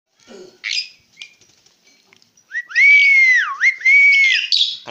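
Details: Tame Asian pied starling (jalak suren) chattering song: faint scratchy notes open, then loud clear whistles, each rising sharply, holding level and dropping away, overlaid with buzzy harsh upper tones, three phrases in quick succession.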